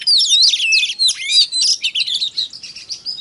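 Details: Kacer, the Oriental magpie-robin, singing to rouse other magpie-robins: a loud, tumbling rush of overlapping whistles and harsh chatter that softens into quicker, scratchier notes.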